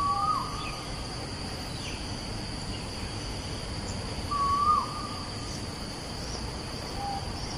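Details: Asian koel in Bukit Batok East, Singapore, 14 September 2021: two upward-sliding whistled notes spaced about four seconds apart, quieter than nearby song, with other birds faintly calling and a constant high background hiss.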